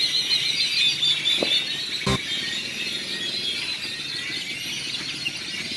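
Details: A dense chorus of grackles gathered in the central square of Celestún, a coastal village in Mexico: a continuous wash of high, squeaky whistles and metallic chatters, punctuated by one sharp clack and a brief lower squeal.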